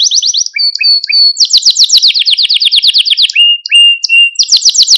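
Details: Malta canary singing, used for stimulating and training canaries: clipped high notes, then a long rapid rolling trill, brief clear whistles and a final quick flourish.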